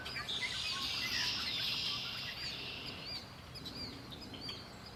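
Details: Birds by Lake Erie: a long high buzzy trill fills the first two seconds, then a series of short upswept chirps repeats, with low background noise.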